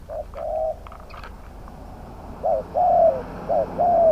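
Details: Spotted dove cooing in a trap-cage decoy session: a short note and long coo, a pause with light clicking, then two more loud phrases of quick note plus sustained coo.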